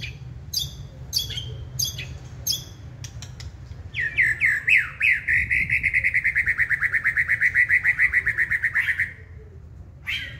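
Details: Caged wild-caught White-rumped shama, second season, singing when stirred: spaced sharp high notes, then a fast even trill of about five notes a second held for several seconds before breaking off.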